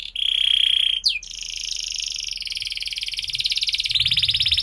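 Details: Canary singing a long, high trill for young birds learning their song. A steady rolled note breaks at one second, then resumes as a fast pulsed roll that continues to the end.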